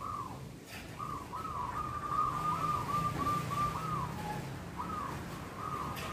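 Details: Wild female zebra dove in breeding condition that came down to a local male being sunned, the two cooing together; a run of short, clear, evenly pitched coo notes in quick succession, with steady low background rumble.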